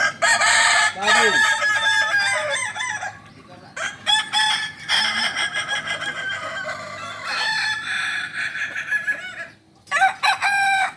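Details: Several kukuak balenggek roosters at a group crowing practice in Panyakalan, Solok, crowing loudly in long wavering runs, one after another, with short breaks between the runs and people audible in the background.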